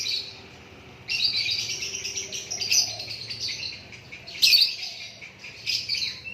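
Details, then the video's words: Murai batu, or white-rumped shama, in natural song: a sustained stream of fast, high, scratchy twitters and trills, rising into a loud sharp burst midway, then easing into quieter chattering notes. "Lakbet super kicauan natural"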